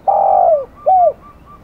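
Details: Described as aggressive, a spotted dove gives a long, rich, buzzy coo that slides downward, then a single arched coo. Faint softer hoots follow in a quiet setting.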